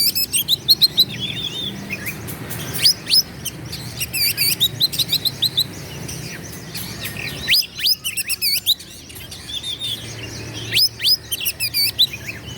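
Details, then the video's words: Oriental magpie-robin in vigorous provoking song meant to make rival males respond and fight: loud, varied bursts of sharp rising whistles, trills and buzzy rattles in phrases a second or two long, separated by short pauses. "KACER GACOR LAWAN PASTI NGAMUK EMOSI NARUNG BUKA EKOR"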